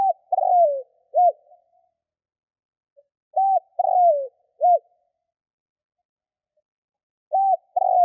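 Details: Decoy spotted dove calling to draw in wild doves, giving three phrases of soft low coos, each a brief note, a drawn-out descending coo and a clipped final note, with long silent pauses between them.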